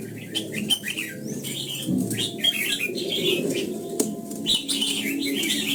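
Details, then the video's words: Morning voice-training song of a red-whiskered bulbul in the old-forest double-note style: dense, lively warbled phrases with rising and falling whistles, a single sharp click, and a low background rumble. "Luyện giọng cho chào mào hót sáng, ép chào mào hót âm kép già rừng hay tuyệt!"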